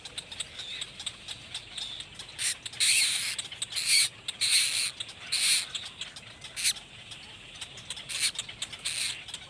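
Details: Blackbird chicks in a nest, heard as bursts of harsh, high rasping squeals in irregular clusters, with faint high ticking notes between them.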